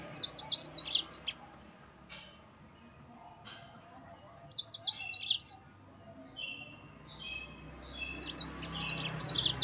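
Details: Yellow-fronted canary singing to provoke rival birds: repeated bursts of rapid high chirps and short trills, interspersed with quieter whistled notes and a few clicks.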